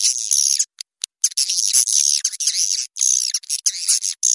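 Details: Swiftlet lure call, a blended mix called SP 90 racikan, used to attract swiftlets: dense, high twittering chirps in bursts broken by brief silent gaps.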